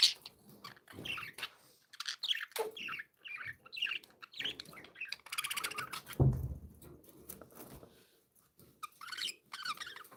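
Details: Happy pet budgerigars warble and chirp in short scratchy phrases, interrupted by a loud low thump midway.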